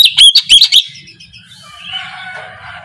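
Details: Oriental magpie-robin in the morning, singing in the clear 'ngeplong' style, used as a lure to prompt quiet birds to sing: a quick burst of loud, high whistled and chipping notes lasting under a second, then faint low background noise.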